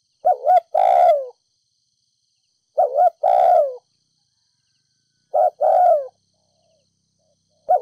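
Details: Vietnamese spotted dove, a Ninh Thuận ground decoy, repeating its 'thúc gù' urging coo in 'đồng pha thổ' style to excite decoy doves: three full phrases of clipped double note plus long falling coo roughly every 2.5 seconds, then a fresh start, no noise.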